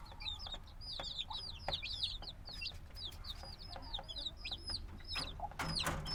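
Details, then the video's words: Several black chicks hatched a few days ago, still needing warmth from the mother, peep noisily: a dense, overlapping stream of high, downward-sweeping cheeps with some clicks and rustling, over a low background hum. "Baby Chicken Sounds - Baby Chicken Chirping Noises"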